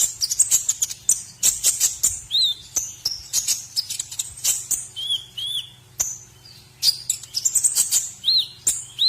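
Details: White-rumped shama song from a training recording for other birds: a dense chattering opening of very high notes, then repeated lower arched whistles rising and falling, mixed with sharp chips.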